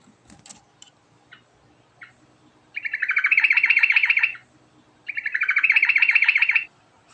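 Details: Yellow-vented bulbul in extended ngerol song: two long, loud rolling trills of rapidly repeated bubbly notes, each nearly two seconds, preceded by faint clicks and chirps.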